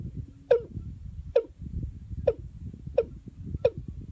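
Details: Watercock during luring with a female decoy: five evenly spaced downward-sliding notes, each ending in a short low twang, roughly one every second, over low background rumble.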